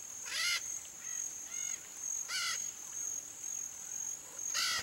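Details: A free-living wild red-shouldered macaw gives three harsh, grating screeches about two seconds apart, with softer chatter between, over a steady high insect drone.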